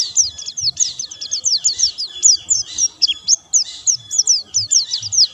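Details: Steady, energetic white-eye song without doping: a continuous chain of quick, high, hooked chirps repeated evenly, each a short downward slide, forming a bright unbroken twitter.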